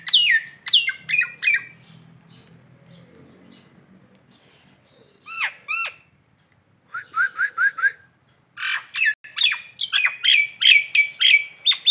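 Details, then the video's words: Nias hill myna, in a local song-tutor recording from Indonesia: loud clear whistles swooping down, then clusters of sharp descending notes and chirps, a quiet low murmur midway, ending in a dense run of rapid ringing notes. "masteran jalak Nias lokalan aja"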